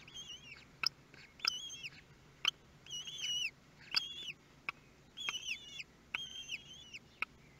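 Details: Kestrel nestlings fed for the first time, Théding nest, France, 23 May 2022: busy, repeated high whistled squeals, each arched in pitch, coming in pairs and clusters, mixed with sharp clicks from the nest.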